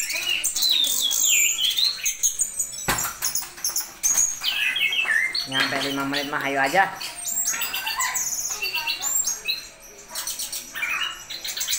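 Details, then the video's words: Orange-headed thrush singing a loud, busy song of quick whistled phrases, trills and sharp chirps, broken by a lower, harsher buzzy passage midway. "Anis Kembang Janoko Konslet"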